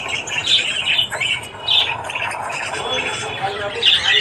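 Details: Australian budgies warbling in the morning: loud chirps and squeaky whistled notes in bursts, several birds calling at once.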